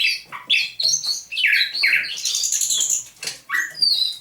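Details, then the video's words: Thrush nightingale kept in captivity after capture near St Petersburg in May 2019, singing at dawn, 27 November 2021: swooping whistled notes leading into a dense, buzzy trill, then a high, thin whistle. "Пение восточного соловья на рассвете."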